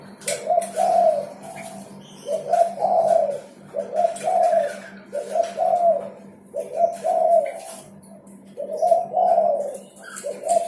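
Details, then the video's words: Spotted dove in full song, a long series of soft hollow coo phrases roughly every two seconds, each ending in a longer falling note, with occasional clicks and a constant low hum. "SUARA DERKUKU GACOR"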